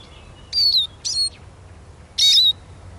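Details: Eurasian siskin uttering three bright, thin whistles in quick succession, each drooping in pitch, the last one longer and fuller.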